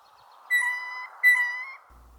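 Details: A male Gray Jay gives the squeaky-gate call, two creaky, level notes about half a second each, rich in overtones like a rusty hinge, over a soft hum. Only males make this call. Recorded in snowy spring during mating season as he seeks a female.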